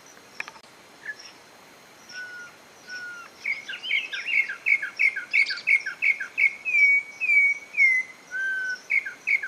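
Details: Campo troupial singing in the wild: two or three low, drawn-out whistles, then a quick, even run of about fourteen short, clear whistled notes, with a faint, steady, high insect-like hum behind.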